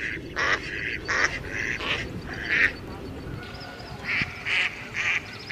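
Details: Pond duckling calling in quick, bright, nasal bursts, several clustered together, then a short pause before another run of sharper calls over soft background noise.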